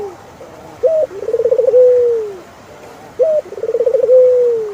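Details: Two cooing phrases from a turtle dove, each a crisp short note, a rapid pulsed trill and a long falling coo, over a quiet background.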